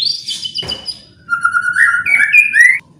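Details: White-rumped shama song used to trigger other birds into singing: a high buzzy opening and a harsh rasp, then a long whistled phrase stepping upward, over a low steady hum.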